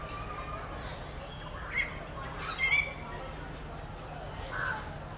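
Rufous treepie giving three short, harsh, chattering notes with a metallic ring, spaced a second or two apart, over a steady background hiss.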